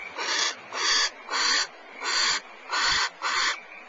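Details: Barn owls, a male and female, trade food back and forth, he taking it and she snagging it back, with harsh, hissing screeches: six breathy bursts in about four seconds, each roughly half a second long.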